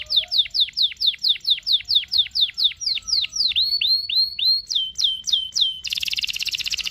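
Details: Canary singing to lure a young canary into learning: a series of sharp falling whistles, then rising upslurred notes, more falling whistles, and a closing dense buzzy rattle.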